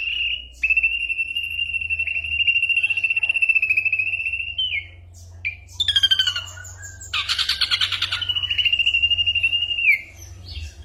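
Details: Mimicry by an ashy drongo, meant for training songbirds such as the magpie-robin during moult: long, level, finely pulsed whistles held for several seconds, broken by brief slurred notes and a dense burst of chatter.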